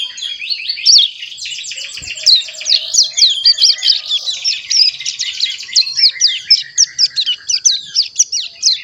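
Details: A caged young ciblek gunung (hill prinia), aged a little over a month and learning to sing, chatters actively in its practice song: a dense, sustained stream of high squeaky notes and fast trills that pulse in short bursts, with one brief soft knock early on.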